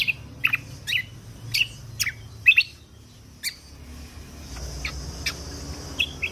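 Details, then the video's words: Lesser green leafbird, recorded as a training tutor for songbird contests. Sharp, high chirps and short downslurred notes come in loose bursts, then grow fainter and sparser toward the end. "Masteran Kecial Kombok Full Tembakan Kunti Pas Buat Masteran Burung lomba Kicau"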